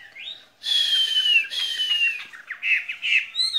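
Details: Skylark held in a cage sings in spring, with a long rasping downward buzz followed by quick choppy chirps and thin high notes.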